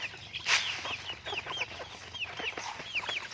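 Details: Pet chickens chattering, with clear rising-then-falling whistled peeps repeated about every quarter second, mixed with short clucks and one louder burst near the start.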